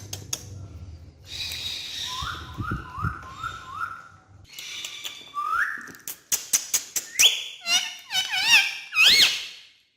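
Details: Pet talking parrot whistling indoors, a run of repeated rising whistled notes, then sharp clicks and bright warbling whistles sliding up and down.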